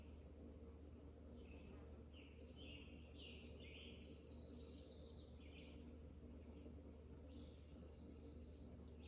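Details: Red-eyed Vireo singing outdoors, its melodious tune likened to a shortened robin's summer song: a few brief high warbled phrases in the middle, with thin high chips and a steady low hum throughout.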